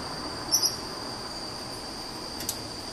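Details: A blue-necked tanager in Barinas, Venezuela, gives two quick, thin, very high call notes, then a faint third, over a steady high insect drone.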